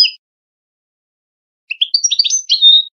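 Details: European goldfinch Wedani song for training young goldfinches and hybrids for singing contests: a brief opening chirp, a long silence, then a rising run of sweet twitters ending in a drawn-out, slightly nasal trill.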